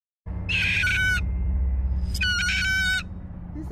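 A cockatoo gives two harsh, drawn-out screeches, each under a second, that sound like anguished human cries, over a low indoor rumble.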